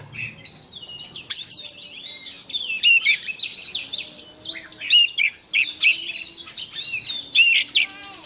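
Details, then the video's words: Decoy Oriental magpie-robin singing its daily morning practice song to fire up birds: a long, varied run of clear whistles, sliding notes and sharp chips, delivered in short bursts with brief dips between them. "Chòe than mồi hót luyện giọng mỗi sáng nhanh lên lửa"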